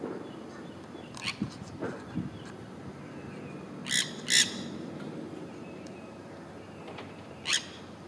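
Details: Wild green parrots, six together on a wire in the sun in Florida in springtime, chattering while courting females: a few harsh, raspy squawks in short bursts, two close together and one later, over a steady low background hum.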